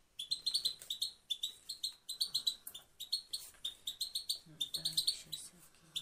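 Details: Female goldfinch singing a steady stream of high, thin, rapid twittering chips in short repeated phrases, each about half a second long, with a faint low hum underneath.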